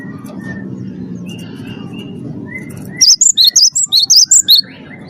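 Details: Cinereous tit, a first-place champion, singing to prompt captive birds: after faint thin whistles, about eight loud piercing notes alternating high and low arrive in a quick burst, with low hum throughout.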